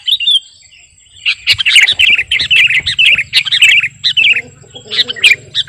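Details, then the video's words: Sooty-headed bulbul, called 'kutilang garuda', in full song for bird-luring or master training; a string of warbled, bouncing notes after a short pause, then scattered chirps over a steady low drone. "Burung KUTILANG GARUDA Gacor..!! cocok buat pikat masteran"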